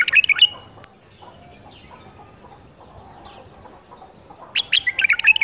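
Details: Bursts of fast, bright warbled chirping open and close the stretch, sung by a caged bulbul bred in captivity in 2018, with faint thin whistles in the quiet middle.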